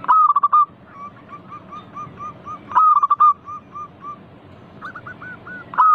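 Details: Prolific local zebra dove song meant to spur other doves to reply: loud phrases of rapid, rolling coos repeated about every three seconds, separated by strings of softer, evenly spaced coos from more distant birds.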